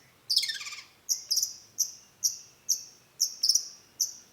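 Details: Lure song of a vocal long-tailed shrike, sung to draw a response: a scratchy descending tangle of notes, then crisp, very high chips repeated roughly every half second, some doubled.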